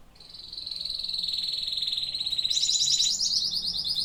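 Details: Canary song from singing canaries: a long, rapid rolling trill at high pitch that builds steadily in loudness, shifting partway through to a higher, harsher, more rattling trill.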